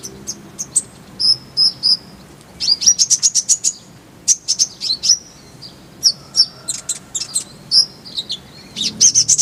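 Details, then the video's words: Tutor recording of kolibri ninja (sunbird) song, meant to make caged birds sing clearly. A long, lively stream of rapid high twitters and ticking notes runs in bursts, mixed with short whistled slurs. "Masteran Konin_Kolibri Ninja Bahan Agar Cepat Gacor Suara Jernih"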